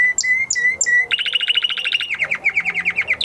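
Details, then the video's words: Male canary in song following its moult. Three drawn-out whistles open, then a fast rattling trill of repeated notes that drops slightly in pitch. "Canary Trying To Unlock His Full Singing Potential Part 2 - Canary Singing Video"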